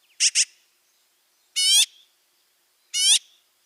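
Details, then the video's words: A magpie gives a quick double chak, then two drawn-out, nasal, harmonic squawks about one and a half seconds apart, each bending slightly in pitch, against a silent background. "Magpie sounds. The sounds that the magpie makes. What sounds does a magpie make?"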